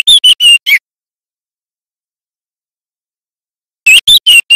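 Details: A juvenile White-rumped shama practising its song, loud and clear: two tight groups of four high, sharp whistled notes separated by a long silence, with a clean background.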